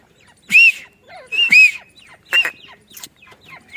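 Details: Female grey francolin at a mango farm giving a few separate loud, arched, ringing notes about once a second, each rising then falling, with softer scratchy sounds between.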